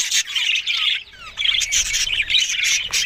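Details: Short burst of budgie chatter: scratchy squawks mixed with thin descending whistles, a brief lull near one second, then renewed chirping.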